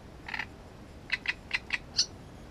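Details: Great reed warbler recorded by its nest: a drawn-out harsh note, then four short, evenly spaced croaking notes and a final high, squeaky whistle-like note, against soft steady hiss.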